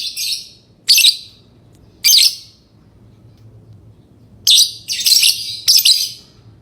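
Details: Lovebird call: sharp shrill chirps, single bursts early then a rapid run of three near the end, with near-silent gaps between.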